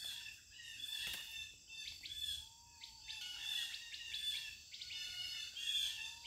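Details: Lively bird chatter outdoors: bright high chirps in short runs, plus a lower, smooth whistle that rises and falls twice, all above a steady high insect hum.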